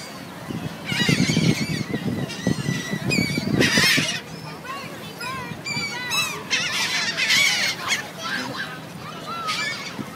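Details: Seagulls on City Island, many calling together in a noisy, overlapping chorus of harsh, harmonic squawks and rising yelps, with bursts every second or so over a low murmur that may be voices.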